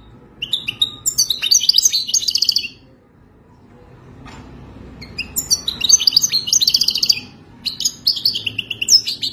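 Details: Goldfinch mating song as a tutor for a captive European goldfinch: two bursts of rapid twittering and tinkling phrases separated by about three seconds of quiet, with a brief phrase near the end.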